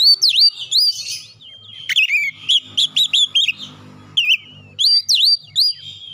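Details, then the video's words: Lure song of an Oriental magpie-robin for an untrained bird under stress, played 30 minutes morning, noon and night: loud V-shaped whistled notes repeated in quick bursts, a brief lull midway, then more ringing swoops. "PANCING 30 MENIT TIAP HARI PAGI | SIANG | MALAM KACER BAHAN SETRES CEPAT GACOR"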